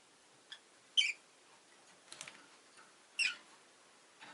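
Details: Two newly added pet Rosy-faced lovebirds give two sharp, high chirps about two seconds apart, with a few fainter ticks between over a low steady background hiss.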